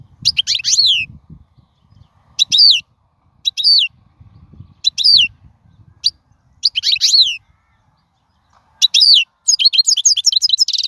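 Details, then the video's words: Wild European goldfinch song for training young goldfinches: repeated high, descending slurred phrases separated by short pauses, closing in a quick run of tinkling twitters; faint low background rumble. "من أقوى اغاني | طائر الحسون | البرية"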